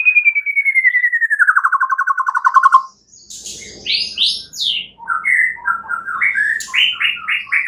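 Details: Night lure song of a white-rumped shama to stimulate singing: a long descending quavering whistle, brief silence, then a string of varied clear whistled notes and sharp chips climbing in pitch.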